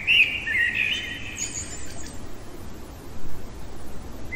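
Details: Common blackbird singing in the middle of the night, giving one short mellow fluty phrase with a faint high twitter, then mostly quiet night background.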